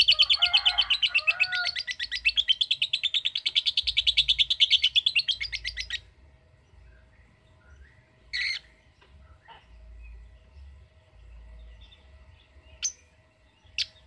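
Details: Lovebird of the ngetik kind opening with some lower warbled notes, then chattering in a fast, rattling ngekek for about six seconds, then quiet apart from a few scattered sharp chirps.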